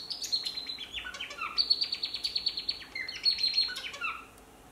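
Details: Male African silverbill singing: a fast, continuous run of bright chirps and short descending slurred notes, high and thin, with two phrases rising and falling over nearly four seconds; quiet background.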